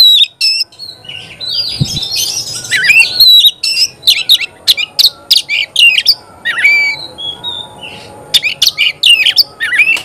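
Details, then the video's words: Vigorous Oriental magpie-robin song claimed to excite other magpie-robins. A long, varied sequence mixes raspy chatter, sharp clicks, clear whistles and squawky notes in irregular bursts. Short pauses break up the sequence. "Kacer gacor bikin kacer ngobra KONSLET"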